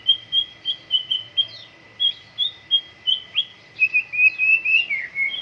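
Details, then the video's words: White-rumped shama singing during morning dew airing. Bright whistled notes repeat about four times a second, then run into a rapid rising and falling warble, with a faint steady tone in the background. "MURAI BATU GACOR, PROSES BURUNG MURAI PENGEMBUNAN PAGI"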